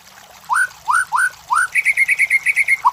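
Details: White-rumped shama song used to lure competition birds: four rising, upslurred whistles, then a quick steady series of about ten short clear notes.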